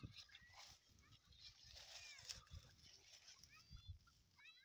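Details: Grey francolin chicks in green grass giving many thin, high peeping notes, short and arched, overlapping in a busy stream over a low background rumble.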